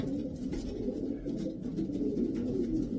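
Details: Racing pigeons of imported European top strains, Davy Van Roy line, cooing steadily in low, throaty murmurs that overlap throughout, with a constant room-like background hum.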